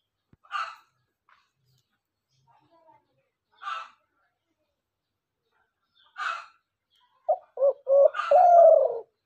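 A dove gives three short, rough bursts about three seconds apart, then a quick run of low, hollow coos ending in one longer drawn-out coo.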